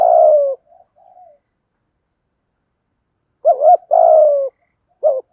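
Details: Spotted dove cooing in the 'thổ' voice, meant to stimulate newly caught captive doves to coo. A long falling coo with soft trailing murmurs, silence, then a quick double note and another drawn-out descending coo.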